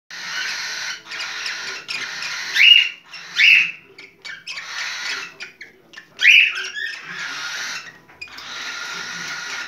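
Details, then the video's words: Cockatiel in breeding condition giving its mating call: a series of loud, harsh, breathy bursts about a second long, broken by short bright rising whistled notes, with brief quiet gaps between bursts. "Sultan papağan kızışma sesi cockatiel parrot heart sound"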